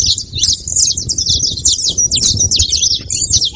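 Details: Brief burst of saffron finch flock chatter at a feeding spot, sharp high chirps tumbling over one another with a light rumble of background noise.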